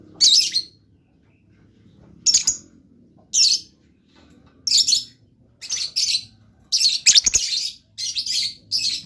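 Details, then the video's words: Blue lovebird calling in short, shrill, rasping bursts, roughly one each second, some doubled or clustered, each a harsh high squeak; steady faint hum beneath. "LOVE BIRD GACOR"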